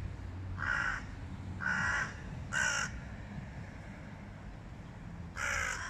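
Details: Hooded crows from a flock clashing with a stray cat utter three harsh caws about a second apart, then a louder fourth after a pause, with low background noise.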